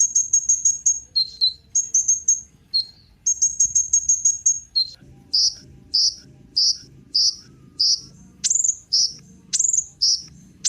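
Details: Sunbird known as kolibri ninja, played to prompt other birds to sing: a high chattering phrase with lower dipping notes, then bright, separate chip notes repeated about twice a second, some sliding sharply down.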